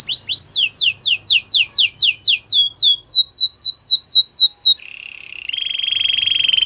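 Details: Training song from a Belgian canary: a fast series of descending swept notes gives way to a lower, flat, sustained buzzing roll.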